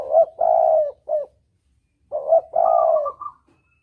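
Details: Clean lure recording of a spotted dove, double 'kuk' style: two phrases of a short coo, a long level hollow coo and a clipped final note, separated by about a second of silence, the second phrase topped by a light rolling note.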